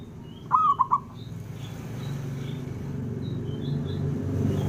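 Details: One three-note cooing phrase from a male zebra dove, a local bird calling to provoke rivals, followed by rising low rumbling background noise and faint high chirps of other birds.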